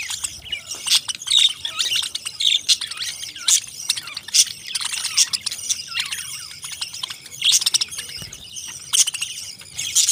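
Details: Parrots keep up steady high chirping and twittering, with repeated short squeaky notes and louder bursts every second or two from a crowd of birds.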